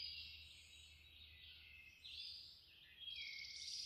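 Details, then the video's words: Wild birds chirping at dawn at Linville Falls, a dense, steady wash of high chirps and trills that swells near the end, with a faint low hum beneath. "Birds chirping at dawn"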